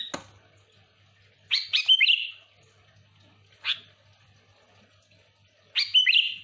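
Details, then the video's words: Sooty-headed bulbul lure song: a warbling whistled phrase, a short single note, then another warbling phrase, separated by quiet gaps of about two seconds. "Suara burung kutilang gacor full Asli,,cocok untuk pikat Kutilang ribut paling ampuh cepat respon"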